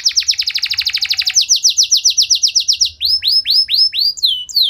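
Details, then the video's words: Canary in energetic song with elaborate variations, sung to excite rival canaries into singing: a rapid rattle of falling notes, then a slower series, ending in widely spaced upward-arching whistles. "Kenari Gacor Nembak Panjang Cengkok Mewah! Bikin Emosi Kenari lain Naik Langsung Nyaut Ikut Gacor"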